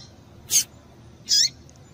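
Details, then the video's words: Two high chips from a female Double-collared seedeater, a call given to excite the male, under a second apart; the second is longer, with a descending lower tail. "Piado de Fêmea de Coleiro para Esquentar o Macho"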